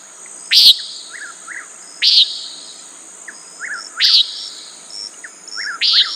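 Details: Repeated nasal, buzzy notes from a common nighthawk about every 1.7 seconds, separated by quiet short chirps, over persistent insect noise.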